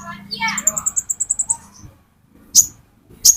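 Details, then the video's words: Olive-backed sunbird, named as the metallic 'konin', in a lure recording: a fast run of about ten thin, very high, evenly spaced notes, then two sharp high chips after a pause. A brief murmur like a human voice opens it. "Burung Konin Metalik Pancingan Konin Ijoan"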